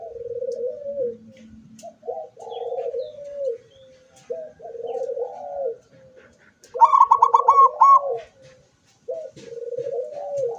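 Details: Zebra dove, recorded 24 September 2023, singing with its beak open: soft low cooing phrases repeated every second or two, broken once by a louder burst of rapid staccato notes, faint background noise.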